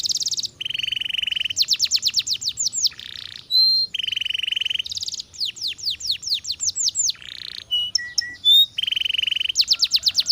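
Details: Canary in full song, switching between fast rattling trills, series of descending swept notes, steady piping tones, and brief buzzy bursts. Phrases follow one another almost without pause.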